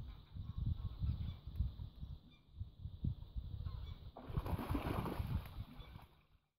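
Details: Northern gannets in a bird rescue centre on Texel, a bonded pair courting in spring, clatter their bills together and make throat sounds. These are low, harsh, irregular bursts of clattering and guttural sound that grow louder and rougher near the end.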